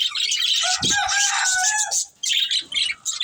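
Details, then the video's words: Budgies of a breeding pair, squawky chirps and warbled notes, some clearer whistled tones mid-range, then a short gap before more chatter. "Cute Budgies Chirping Sounds"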